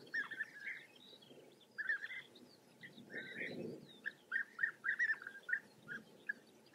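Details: European bee-eaters in the Eifel, Germany, giving liquid, rolling prruip calls in quick bursts, several birds overlapping, with a low rumble of wind briefly underneath.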